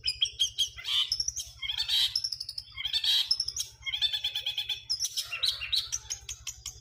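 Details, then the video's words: Long-tailed shrike singing material that imitates sparrows: a dense, nonstop stream of sharp high chirps and twittering notes with a few squeaky accents, over a steady low electrical hum. "Cendet materi Greja kuntilanak"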